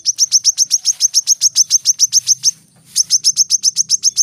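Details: Rapid, evenly spaced high chips from a brown-throated sunbird, around five per second, breaking off briefly near the middle before the same tembakan rapat rhythm resumes.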